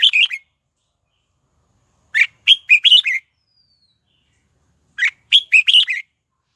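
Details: Red-whiskered bulbul singing as a lure for wild birds to come and fight. Repeated cheerful phrases of five or six quick, slurred chirps recur about every three seconds, with short silences between.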